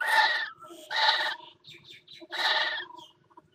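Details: Northern goshawk mating on the ledge of a nest box at the Axel water tower, 5 February 2018: three loud, harsh, grating screams, each about half a second long, with softer scratchy notes between them.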